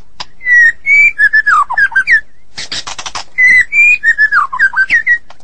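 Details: White-rumped shama singing in the morning: loud, clear whistled phrases of slurred notes that rise and fall, delivered in two bursts, with a quick run of sharp clicking notes between them.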